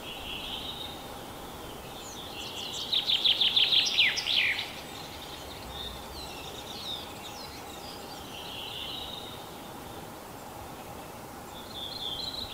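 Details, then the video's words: Spring song of a common chaffinch, Kalinovsky forest park, Yekaterinburg, Russia, on 21 April 2020. One loud phrase of rapid trilled notes ends in a dropping flourish. Faint high chirps from other birds fill the pauses. "Зяблик, весенняя песня"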